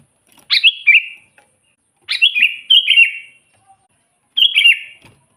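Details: Energetic Sooty-headed bulbul song played to attract wild bulbuls for trapping; three chortling phrases of rich, downward-slurred whistles, the middle one doubled.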